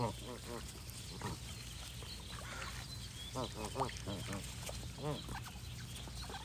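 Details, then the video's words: Scattered goose honks, short nasal arched notes in small bursts of two or three, separated by stretches of constant low hum and soft background noise. "Goose & Birds Sound Effects for Relaxation"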